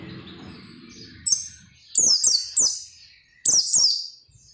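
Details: Persistent oriental white-eye song aimed at getting other white-eyes singing: clipped bursts of high, sharply falling twitters in quick sequence after a soft low rumble fades out.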